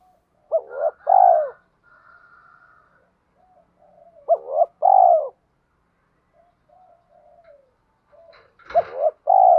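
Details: Repeated spotted dove coo phrases, used to train young doves and lure others. Each paired short rising coo and longer falling coo comes about every four seconds, with soft murmuring notes between and a brief crackle near the end.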